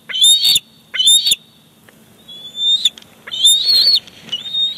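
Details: Bald eagle father bringing a fish to the chick at a Big Bear Lake nest, 18 July 2019. Two short, loud squeals, a thinner sliding whistle, then a longer, strained squealing call.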